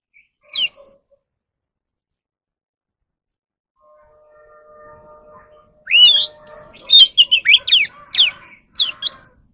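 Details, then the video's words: Captive Oriental magpie-robin in a voice-training recording. One short high note opens, followed by a long silence and a soft low hum. Then comes an energetic run of clear whistles and sharp sweeping notes, repeated in quick bursts. "kacer alam | choè than luyện giọng || Choè than kích bổi ra giọng เสียงนกกางเขนบ้าน"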